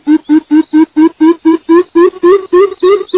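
Greater coucal giving a deep, resonant run of about thirteen hollow hoots, roughly four a second, creeping slightly upward in pitch.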